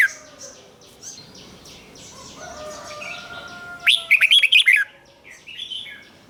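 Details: Cage-kept red-whiskered bulbul in doubled 'เบิ้ล' song, played to teach young birds: after quiet chirps and long thin whistles, one bold phrase of rapid, liquid whistled notes lasting about a second.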